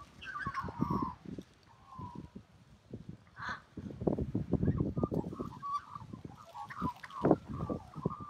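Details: Melodious singing from an Australian magpie, with bursts of warbled, slightly buzzy whistled notes separated by pauses, over loud low-pitched rumbling and clattering noise throughout.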